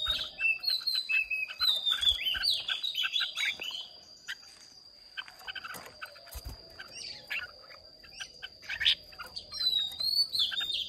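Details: Red-whiskered bulbuls from Hoà Bình, Vietnam, kept caged and singing in a contest: quick whistled phrases and chattering bursts, loud at the start and end with a quieter stretch in between, over background noise and a steady high whine.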